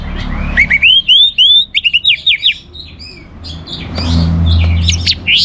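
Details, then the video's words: An orange-headed thrush in Singaraja, North Bali, sings a fast run of clear, rising whistled phrases and sharp slurred notes over a low background rumble of traffic. "ANIS MERAH Gacor"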